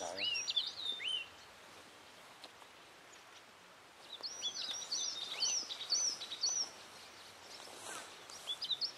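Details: Yellow tit at Aowanda, Taiwan, recorded 8 January 2012 mid-morning: clear whistled upslurred notes, high and bright, given about twice a second in two bouts separated by a pause, over steady background hiss.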